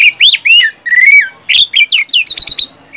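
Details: Whistling and 'tembakan' song of a loud oriental magpie-robin, a lure to get lazy magpie-robins singing: sweet curved whistles, then a fast sequence of short, sharp downward notes.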